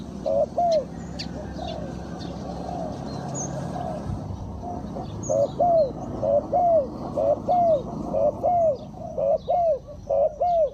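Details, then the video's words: Decoy spotted dove luring wild birds. Opens with muddy background noise and scattered faint chirps, then from midway a steady run of short, hollow, arched coos about once a second, growing stronger toward the end. "Chim cu gáy chiêu kích mồi tập bổi nhanh nổi hiệu quả"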